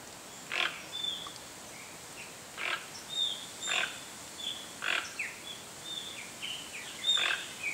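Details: Repeated coarse, grunting croaks from a Toco toucan, Brazil's largest toucan, roughly every second or so, mixed with many short high whistled notes from other birds and a constant hissing background.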